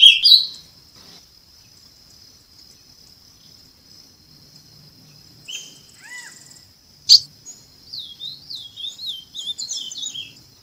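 Ultramarine Grosbeak: a few clear falling whistles, then a quick warbled phrase of sweet rising-and-falling notes, over a steady high-pitched whine and one sharp click.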